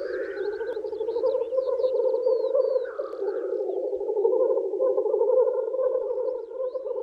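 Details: Black grouse lek in spring, males courting females: a soft, rolling bubbling chorus throughout, with hissing sneeze calls at the start and near three seconds, and high chattering chirps early on.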